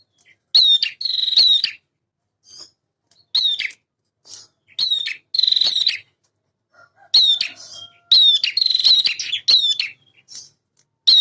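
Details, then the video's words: Vigorously singing male prinia gives crisp, high chip notes and dry buzzing trills in separated bursts, with phrases clustered near the start and end and a quiet gap in the middle. A faint lower chirp sounds once. "PRENJAK JANTAN GACOR"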